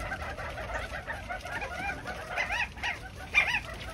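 California quail give a busy run of overlapping clucking and mewing calls, several birds at once, with a few louder rising notes standing out near the end.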